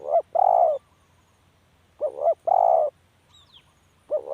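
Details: Spotted dove calling: a two-part coo, a short wavering double note followed by a longer, steady, hoarse coo, repeated about every two seconds against a quiet background.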